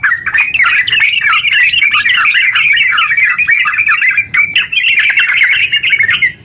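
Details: Nonstop ngeropel singing of a yellow-vented bulbul in full voice, meant to set other bulbuls singing; quick bubbling and twittering phrases run together in a continuous chatter, easing briefly near the end.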